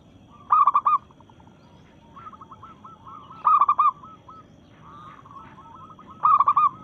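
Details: Local zebra dove singing to challenge rivals, in breeding mood. Loud stuttered coo bursts about every three seconds, separated by softer, drawn-out runs of rapid cooing notes.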